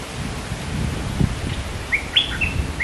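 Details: Scarlet-backed flowerpecker, a bird pairing and building a nest, gives one brief phrase of sharp, high chirps that rise and slur downward, heard over low rumbling background noise.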